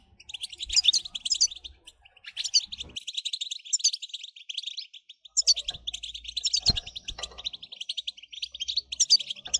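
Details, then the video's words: European goldfinch singing, meant to excite other goldfinches into song: long runs of fast liquid twitters and buzzy chirps in repeated phrases, broken by short pauses, with occasional low thumps. "لتهييج الحسون ستجعله يغرد من دووون انقطاع"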